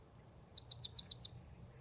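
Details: Blue-crowned hanging parrot heard while wild birds are being lured at Port Baru: six sharp, very high chirps in a quick even run lasting under a second, over a faint steady high-pitched hum.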